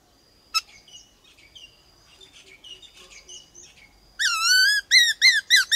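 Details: White-cheeked laughingthrush singing a varied, forest-style song used to stimulate captive birds and train young ones: soft buzzy chatter first, then loud rich warbled whistles rising and falling in rapid bursts.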